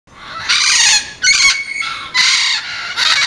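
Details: Feral parrots in Ocean Beach, San Diego, recorded on Saratoga Avenue in April 2012: loud, harsh, raspy screeches of about half a second each, repeated four times with short gaps, one carrying a thin whistled tone.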